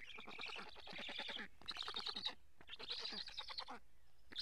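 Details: Black storks at their nest in Karula, Estonia, in July 2017, a parent bringing fish, from a live camera. Three bursts of fast, grating nasal pulses separated by short silences.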